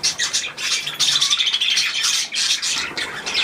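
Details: Budgerigars bathing under a shower, giving dense high chattering and squawky calls that overlap continuously, with short pauses near half a second and just after two seconds.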